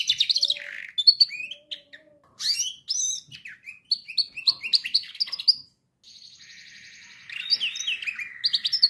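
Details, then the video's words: Canary singing, used for training canaries: quick varied chirps and sliding notes, then a brief silence, followed by sustained buzzy rolls and fast repeated trill phrases. "canary singing best video to training canaries birds"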